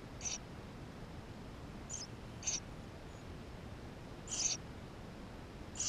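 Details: Eurasian tree sparrow nestlings inside the nest, recorded by GoPro: high, short squeaky peeps in loose clusters, one slightly longer burst, with a faint hiss throughout.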